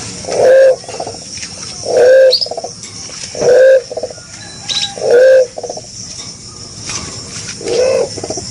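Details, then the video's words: Green pigeon (punai) calling actively: low, hollow, slightly rising coo notes about half a second long, repeated roughly every one and a half seconds, with faint high chirps from other birds behind. "Pesona Punai, Burung Merpati Hijau Gacor"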